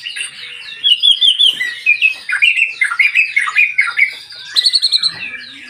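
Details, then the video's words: White-rumped shama pouring out a fast, varied song of sweet whistles and chattering notes in rapid bursts, with a quieter stretch near the end before a final high phrase. "burung murai batu"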